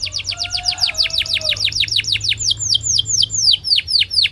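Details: Singing canary used to coach other canaries to sing: a fast run of high descending whistled sweeps, about seven a second, slowing into wider, spaced sweeps, with a faint lower whistle early on.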